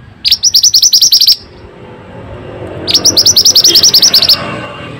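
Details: Vigorous pied bushchat (mantenan) song used as a prompt for silent birds: two lively phrases of eleven or twelve rapid, piercing high notes each, about a second and a half apart, with faint low rumble.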